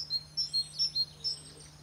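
Great tit singing a thin, high two-note phrase, alternating higher and lower notes about three times in two seconds, over a faint low hum.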